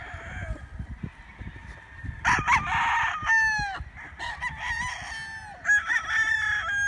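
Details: Several roosters crowing among chickens, crows overlapping and answering one another, some rising sharply at the start, others ending in a drawn, sliding tail.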